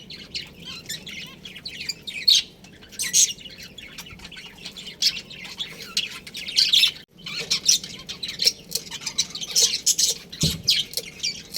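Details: Colony of budgerigars, including a breeding pair, keeping up busy, overlapping high chirps and raspy squawks, with a brief pause near the middle before the chatter resumes.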